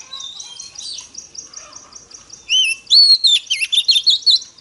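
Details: Female Oriental magpie-robin song for stimulating males: a thin, evenly repeated high ticking series for about two seconds, then a loud rich phrase of clear whistles and fast looping notes.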